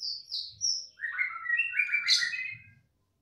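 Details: Young white-rumped shama, worked up after hearing another shama, sings a rich run of whistled notes sliding down from high to mid pitch, then a loud burst of warbled phrases; faint low rumbling underneath.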